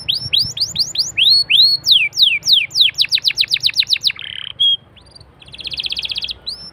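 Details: Canary singing as a lure to set other canaries off: a run of loud descending whistled sweeps repeated several times a second, then a brief buzz, a clear note and a rapid pulsed trill.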